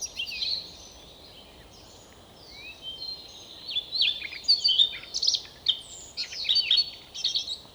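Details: Siberian rubythroat singing near Novosibirsk, Siberia, Russia: a brief high warble, a quiet pause, then a rapid run of varied chirps, trills and thin whistled notes over steady background hiss.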